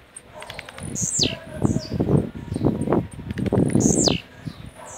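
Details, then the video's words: A young blue-black grassquit (tiziu) from Jacarepaguá, Rio de Janeiro, a bird said to sing easily anywhere, gives two high, buzzy, down-slurred 'tziu' notes about three seconds apart over heavy low thumping and rustling noise. "Tiziu LANÇA ROJÃO"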